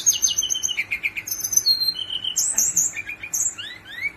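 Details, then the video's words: Brown-chested jungle flycatcher in quick rolling song: high thin whistles, buzzy notes and rising slurs delivered in fast succession over a low background hum. "SIKATAN RIMBA DADA COKLAT NGEROOLL PANJAAAANG"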